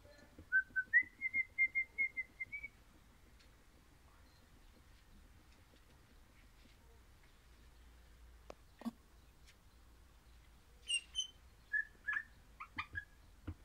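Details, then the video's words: Orange-variety crimson rosella singing a run of clear, evenly spaced whistled notes that step slightly upward. A long near-silent stretch follows, and a few scattered short whistles and clicks come near the end. "Happy Parrot Crimson Rossela Pennant Orange Singing"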